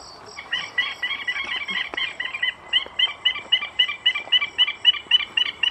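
White-throated francolin giving a rapid, rhythmic series of clipped, harsh notes, about four per second, swelling louder as it goes.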